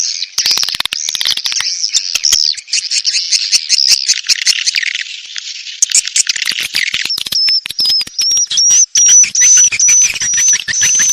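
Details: Edible-nest swiftlet mating lure call: dense buzzy twittering chirps with rapid clicks, then a thin high whistled tone wavering and repeating through the second half.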